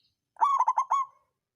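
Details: Local zebra dove of the songgo ratu type, used to stir other birds into singing; a single phrase of about four quick rolling notes near the same pitch, each with bright overtones, then a short trailing note.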